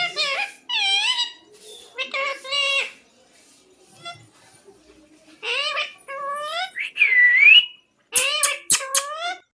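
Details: Bhajan-singing parrot speaking "Radhe Radhe" and "Mithu Mithu". Shrill, nasal, speech-like phrases rise and fall in pitch, with a clear whistled upslur midway and quick chattering syllables at the end.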